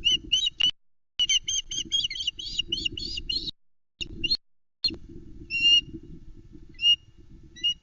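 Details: On a Loch Arkaig nest cam, 21 May 2020, a hungry female osprey calls for the male's first fish of the day. She gives rapid piercing, whistled chirps in clustered bursts, then sparser single notes, over a low wind rumble.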